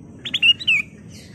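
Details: Lure song of a sooty-headed bulbul meant to provoke other birds: two or three crisp chirps followed by a clear whistle sliding downward, one short phrase over soft background rumble.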